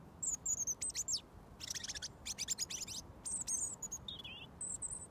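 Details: A robin singing about a foot from the person who feeds it, awaiting mealworms; high thin whistles, dense rattling trill bursts and a lower wavering warble near the end.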